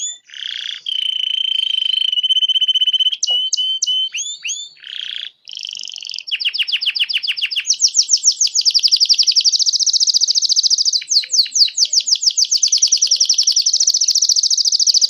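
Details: A red Belgian canary (Serinus canaria) gives a long, unbroken song: a pure high whistle, sharp chips, then fast rolling trills and rattling tours, with no other sounds.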